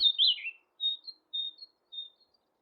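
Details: Common Nightingale singing at Thurrock Thameside Nature Park, filmed on a Panasonic GH6: a loud falling whistled opening, then short high whistled notes spaced by brief pauses, with a quiet background.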